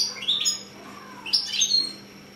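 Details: Six-month-old European goldfinch × canary hybrid singing two short bursts of high, bright twittering notes with rising slurred elements, separated by a brief pause.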